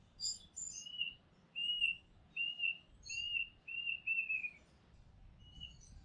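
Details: Oriental magpie-robin heard from a house rooftop: a few high squeaky notes, then a series of six short level whistles repeated about every half second, over faint background noise.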